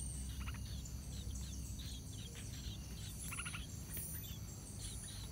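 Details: Yellow-vented bulbul chicks on their last day at the nest, moving along its edges while the parents keep feeding them; short high chirps in quick bursts over steady insect buzz and low rumbling background noise.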